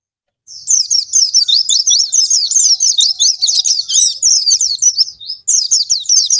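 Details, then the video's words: Oriental white-eye in full song, used to stimulate other birds to sing: a thin opening note, then a continuous rapid jumble of high chirps and whistled slurs, with a momentary break before a final burst. "Pancingan pleci bahan,ini cocok untuk pleci yang malas bunyi macet dll"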